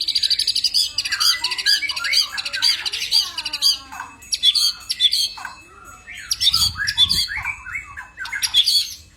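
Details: White-rumped shama said to need sunning, singing a varied, loud song of rich whistles mixed with harsh, buzzy squawks and chattering phrases in bursts, with pauses between, and a brief low thump midway.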